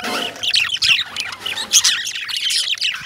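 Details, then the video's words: Lovebirds giving rapid, shrill, squeaky chirps and short harsh squawks, tightly packed and overlapping with barely a break. "Love Birds Chirping"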